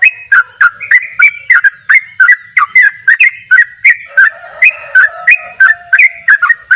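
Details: Rapid 'ropel' song of a sooty-headed bulbul, a style said to provoke other bulbuls: a fast run of bright, slurred whistles with crisp clicks, roughly three per second and unevenly spaced, with a soft lower tone late in the clip.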